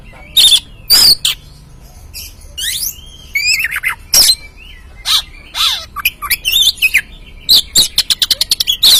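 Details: Oriental magpie-robin song used as a lure for a newly caught caged bird. Harsh, rasping squawks and slurred whistles are scattered through the phrase, ending in a fast, even series of sharp repeated notes.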